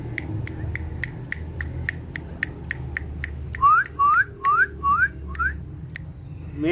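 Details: Talking, dancing pet parrots on a charpai: evenly spaced short clicking notes repeat steadily for several seconds, then five loud rising whistles follow one another about every half second, with constant low hum underneath.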